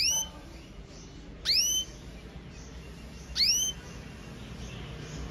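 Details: Red mosaic agate canary in powerful song: loud descending chirps with strong overtones, repeated roughly every two seconds, fainter notes between, against low background noise.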